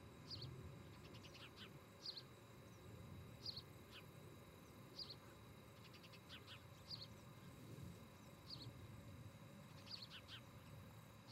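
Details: Nest camera audio of an osprey pair near Charlo, Montana, evening of 17 August 2018: thin, high chirps repeat every second or two, some breaking into quick rattling runs of short notes, over low rumbling noise.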